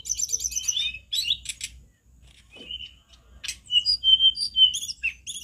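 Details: Tledekan gunung: dense buzzy chatter to start, a pause with sparse notes, then clear whistled notes repeated in quick succession.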